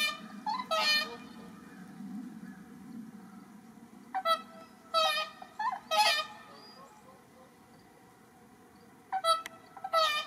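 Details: Whooper Swans at Asahiyama Park, Miyagi, Japan, in March, captive pair calling to attract wild swans; clusters of two or three loud honking trumpet notes separated by quiet stretches of low rumble and faint voices.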